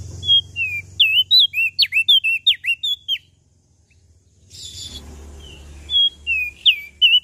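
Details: Lombok bird singing busily: a quick burst of high, thin whistled notes and sharp flicks, then a short gap with a brief rushing noise, then several more slurred whistles.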